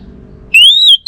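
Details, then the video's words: Orange-headed thrush giving a single clear whistled note that rises slightly and holds, with bright overtones, after a quiet stretch of low background hum. "Burung ANIS MERAH Lansung Nyaut Gacor Tanpa Henti"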